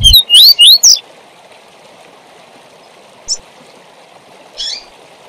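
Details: Double-collared seedeater tui tui zel zel training song for young birds: four fast, looping whistled notes open the clip, followed by two isolated buzzy chips amid continuous hiss.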